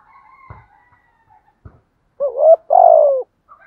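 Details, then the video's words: Spotted dove calling in the southern Vietnamese 'gù thúc' style for decoy birds: faint background sounds and clicks, then a rising two-part coo and a long, loud, slowly falling coo. "chim cu gáy gù thúc bai bản giọng hạp bổi nhất miền nam"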